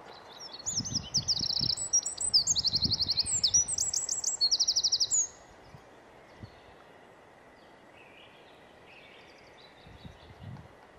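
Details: Winter wren (Troglodytes troglodytes) recorded in Estonia: a burst of high, fast trills and sharp twittering notes for about five seconds, then quiet background with faint distant bird notes and low rustling.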